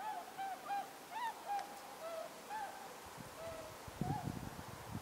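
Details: Flock of whooper swans flying at night while arriving at Mutsu, Shimokita, Japan, on 15 October 2015: repeated bugling honks, several birds overlapping, with low rumbling noise in the second half.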